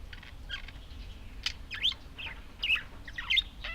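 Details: Budgerigars chattering in a busy warble: rapid swooping squeaks and short buzzy chirps, growing louder with several emphatic notes toward the end.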